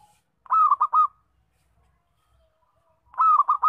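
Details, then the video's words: A local zebra dove, its loud song meant for luring and trapping, gives two clear phrases of three to four rapid, rolling coos a few seconds apart, with near silence between them. "Suara Perkutut Lokal Kencang"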